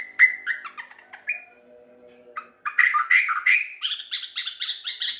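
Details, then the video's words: Local sooty-headed bulbul singing energetically: short whistled notes and quick slurred phrases, a pause with faint low tones, then a lively run of rapid chattering notes climbing higher. "suara burung trucuk lokal gacor"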